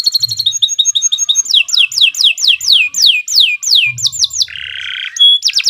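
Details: Canary singing a long tutoring song: fast high trills, then a string of repeated descending swoops about every quarter second, a harsh buzzy mid-pitched burst near the end and a final sharp trill, over faint low hum.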